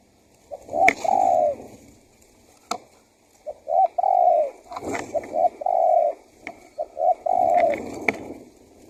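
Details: Spotted dove used to lure wild doves, cooing in phrases of short notes and longer falling coos, about four phrases, with clicks and background rustle.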